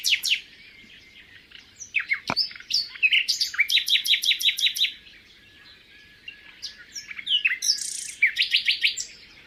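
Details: Common nightingale singing by day or night, its extremely varied song changing with each phrase: rapid repeated chooks and trills, sharp whistles and fast rattling series, separated by brief pauses, loud and clear.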